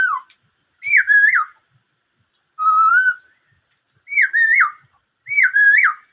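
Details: Black-throated laughingthrush whistling its "bắt cô trói cột" song: rich, loud phrases that dip and rise, one long steady whistle in the middle, four phrases separated by short silences.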